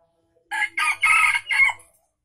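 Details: Aceh junglefowl crow, Indonesia, used for luring wild birds: four clipped, harsh syllables, the third longest, delivered in a little over a second against silence.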